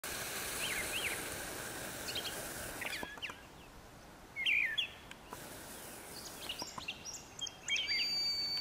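A brown thrasher gives brief, varied phrases: sharp chips and twangy, mid-high notes, over steady outdoor hiss and a faint high insect-like drone.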